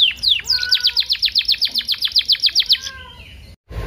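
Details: Canary singing, used as a lure to trigger singing and tutor canaries: a quick series of sharp, downward-slurred high notes repeated about seven times a second, framed by soft lower whistles, ending in a brief silence.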